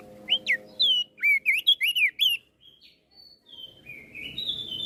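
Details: Crested white-eye from Flores singing hard enough to agitate listening birds: a fast run of loud, bright whistles bending up and down, followed by softer drawn-out warbling notes and faint background hiss.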